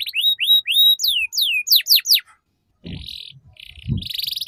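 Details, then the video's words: Tutor song of a canary, meant to teach young birds the ngeriwik sound: three rising whistled notes, a quick series of steep falling sweeps, a short pause, then a buzzy trill with low thuds beneath. "Suara PANCINGAN KENARI Paud Agar Cepat Belajar Bunyi Ngeriwik"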